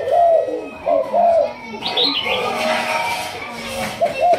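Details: Malaysian-line spotted dove of the thúc gù cooing line, kept for decoy training, giving low, soft, slightly rising coo notes in short phrases, with a brighter chirping sound and background noise between them.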